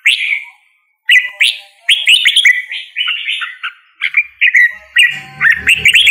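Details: Red-whiskered bulbul singing: short bright chirps and slurred whistled notes, some rising and falling, in bursts separated by brief pauses, with a faint low hum late on.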